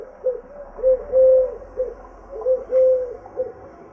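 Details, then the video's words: A dove sings low, soft hooting coos in a repeating phrase, a short note followed by longer drawn-out ones, with quiet background hum. "Singing Dove"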